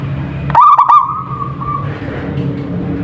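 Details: A single rapid, rolling cooing phrase from a local zebra dove tails off into a level fading tone, with a low hum throughout.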